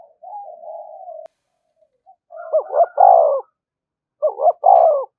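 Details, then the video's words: Spotted dove provocation call: a soft, level coo at the start, then two loud phrases, each a rapid doubled note followed by a longer falling coo, spaced about two seconds apart. "tiếng chim cu gáy kích bổi"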